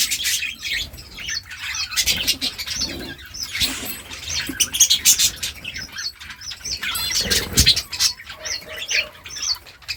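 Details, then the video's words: Budgies chirping, a sound said to set other budgies dancing: busy overlapping high twitters and squeaky warbled notes, rising and falling in loudness over ten seconds. "Hear the Chirp that Makes Budgies Dance!"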